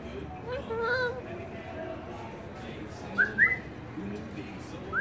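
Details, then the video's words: A cockatoo sings a few short, clear whistles, some rising, spaced about a second apart, with a soft murmur of voices behind. "Singing Bird"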